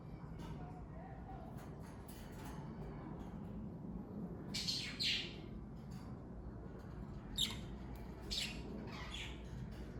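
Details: Pet parakeets of one family, mostly quiet at first, then give several scratchy, buzzy chirps in short bursts during the second half, over steady low hum.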